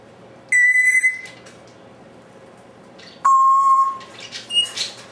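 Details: Pet African Grey parrot, alone in a room, whistling on its own: a steady, clear high whistle, then after a pause a longer, lower pure whistle, followed by softer chirpy fragments.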